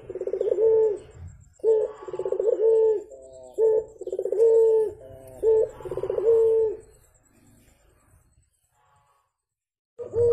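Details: Puter, or Javan turtle dove, heard in the morning in a recording used for training birds. Rolling, throbbing coos with short sharp notes in between, several phrases in quick succession, then quiet before a final coo starts.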